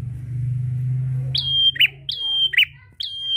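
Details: A prinia calling to a rival, used to stimulate other prinias to call, gives sharp, high, ringing chirps, about two a second, after an opening low rumble.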